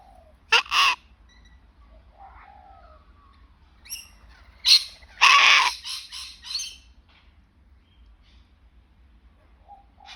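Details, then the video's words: Sulphur-crested cockatoo calling with a string of loud, grating, broadband screeches. The longest and roughest burst comes in the middle, followed by shorter harsh squawks, with quiet gaps and a few faint softer notes between. "Cute Sounds of the Sulphur Crested Beauty"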